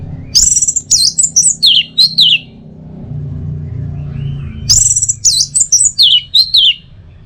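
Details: Two matching bursts of anis merah (orange-headed thrush) teler song, each a rapid series of high whistles stepping downward in pitch, about four seconds apart. A low hum fills the gap between them.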